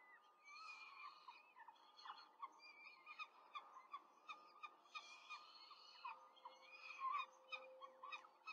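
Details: Quick feeding at a Rome peregrine falcon nest on 5 May 2023, the female feeding four chicks: a steady stream of short, harsh, harmonic calls, many voices overlapping, pulsing roughly twice a second throughout.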